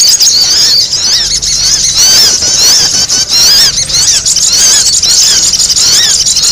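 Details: Sogon heard in full noisy chorus as a lure: thin, squealing, wavering notes packed closely together, unbroken high chatter from start to end.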